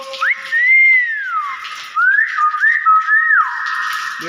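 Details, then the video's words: Common hill myna calling actively, a natural voice: loud, clear whistles that swoop up then fall, joined by a long level tone and short rising-falling slurs near the end. "BEO GACOR BAGUS SUARA ASLI"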